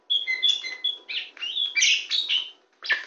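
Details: Hand-perched, very tame kacer poci (Oriental magpie-robin) delivers a short burst of song: clear steady whistles followed by richer, buzzier warbled notes.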